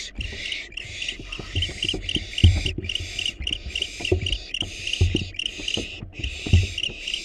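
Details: Hungry wild barn owl nestlings in a nest box, fed a rat and a rabbit; broad hissing screeches about a second long repeat in steady bursts, with thumps and scraping of the chicks moving below.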